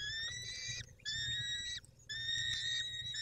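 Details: At a peregrine falcon nest, with the male looking after the females, evening of 23 May 2021: three rasping, harmonically rich wails, each close to a second long, separated by brief gaps, over a low background rumble.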